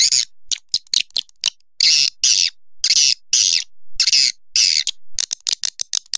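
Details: Swiftlet calling with high, harsh, buzzy bursts of roughly half a second, broken by rapid short clicks and chirps in an uneven rhythm, with quiet gaps between the bursts.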